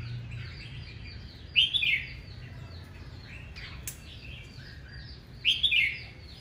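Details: Morning competitive song of an aggressive red-whiskered bulbul: two loud, bright warbled bursts about four seconds apart over a steady background of fainter chirps from other birds.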